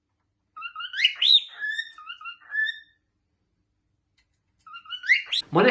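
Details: A male cockatiel, a pet, sings a string of clear, warbling whistles that slide up and down in short repeated phrases; such singing is territorial, done for a mate or attention, often with wing display.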